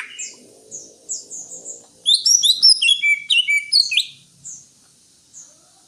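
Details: Greater green leafbird singing: thin high notes at first, then a dense rush of sharp varied chirps and whistles, fading to sparse high calls.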